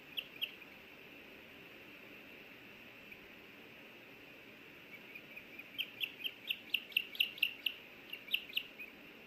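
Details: At a Hellgate Canyon nest in Missoula, Montana, May 24, 2024, on a nest camera, an osprey female wants a bite of the small fish the male brought. After a quiet stretch, a quick series of shrill, clipped whistles follows, roughly two per second, in uneven clusters.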